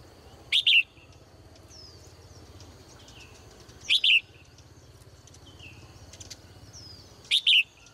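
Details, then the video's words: Female caged bird singing cheerfully in the morning: three loud, high double chirps, a short sharp note then a longer one, spaced about every three and a half seconds, with faint softer twittering between them. "นกตัวเมียร้องเจื้อยแจ้วในยามเช้า , เสียงนกร้องในกรง"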